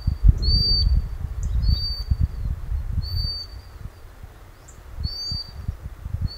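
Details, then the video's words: Common sandpiper, a small wader, calling its young beside a river in the north of Scotland near where it bred. Thin, high, flat whistled notes repeat about once a second over heavy low wind rumble. "Common sandpiper (Actitis hypoleucos) calling its chicks."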